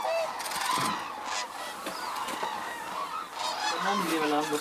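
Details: A flock of Hooded and White-naped Cranes in a snowy landscape at Arasaki Crane Center, Kyushu, Japan, gives loud, overlapping honking and trumpeting calls about twice a second, a busy chorus of many birds at once.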